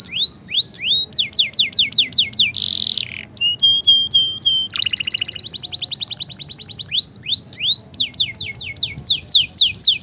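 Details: Canary in full, vigorous song, used as tutor and stimulation for lazy canaries: fast series of rising and falling sweeps, buzzy rolls and a steady metallic trill, changing phrase every second or two without pause.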